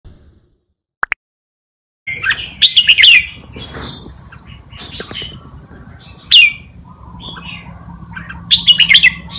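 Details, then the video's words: Caged red-whiskered bulbul used as a forest-style tutor singer for teaching young birds to copy; silence, two brief clicks, then bright warbled, slurred whistled phrases, some rising and falling, separated by short pauses over a faint steady hum. "นกกรงหัวจุก นกครูเพลงป่ามาลูติน เปิดสอนลูกนกก๊อฟติดง่าย"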